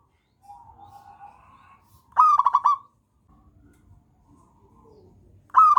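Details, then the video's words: Local wild zebra dove, used as a master or lure to prompt other doves to sing: soft, rapid staccato coos in a quick rippling burst, then the phrase restarts a few seconds later, with quieter low cooing between. "masternya perkutut lokal alam pemancing bunyi"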